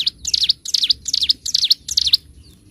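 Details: Bar-winged prinia song from a master recording for bird training: five quick groups of high, sharp chirps with dipping slurs, then the song stops and only faint hiss is heard.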